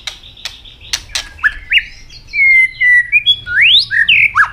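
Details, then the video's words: An Asian robin singing: a few sharp clicks open, then a run of loud whistled notes, slurred and swooping up and down, with a long rising sweep near the end. "Robin singing"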